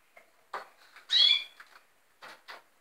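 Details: Red siskins; one loud, nasal, harmonic call with a slight downward slur in the middle, surrounded by softer scratchy notes and faint rustling.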